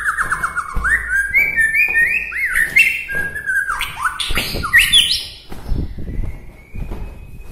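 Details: Song of a white-rumped shama from Bahorok, Medan, reputed to stir other shamas: a rapid stream of looping slurred whistles and upward sweeps, growing higher and more varied, then fading to a thin sustained note.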